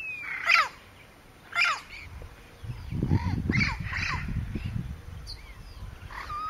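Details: Southern screamer accompanied by a juvenile, Porto Jofre in Brazil's Pantanal, 25 September 2013: loud, abrupt honks with downward-sliding ends, several in a loose series, over low rumbling background noise.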